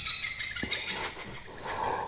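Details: Oriental pied hornbill, a small hornbill known locally as nok kaek after its call, heard at Cheow Lan reservoir, Surat Thani, Thailand: very loud, harsh, cackling bursts, two broad blasts over a noisy outdoor background.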